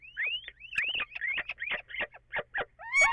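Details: Possibly two little owls calling at the same time, 14 April after 04:56, echo present: long upslurred whistles, then a rapid string of short, clipped notes and a final harmonic wail.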